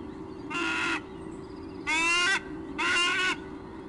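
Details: White-bellied sea eagles at their nest during a nest exchange on 1 July 2015 give three harsh, nasal honking squonks, each about half a second long, over a steady low hum.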